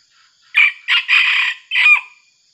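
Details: A young red junglefowl used as a decoy for trapping wild junglefowl, once seized by an eagle, gives one quick, clipped crow in four harsh, bright syllables, the last cut off short, with silence before and after.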